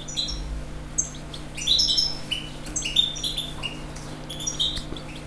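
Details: European goldfinch in continuous song, a rapid jangling stream of high tinkling, twittering notes and short trills, with a faint background hum.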